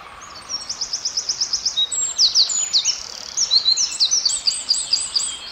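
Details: Wren singing in a forest, a long, loud, very high-pitched song of quick, evenly repeated notes running into sharp descending strokes and a fast rolling trill over soft background hiss.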